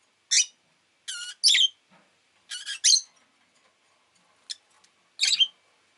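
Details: Rosy-faced lovebird chirping rapidly: shrill screechy notes in quick pairs and triplets, some buzzy and rattling, others short sharp squeaks, over roughly six seconds.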